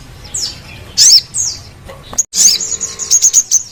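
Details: Brown-throated sunbird (Anthreptes malacensis) song: thin, very high, sharp chirps and quick twittering runs with brief gaps between bursts.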